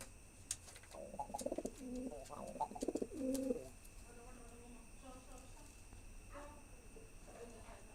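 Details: Male pigeon cooing while trying to impress a female: a burst of choppy, gurgling coos with sharp taps early on, then quieter, softer repeated coos fading out, in a small indoor space.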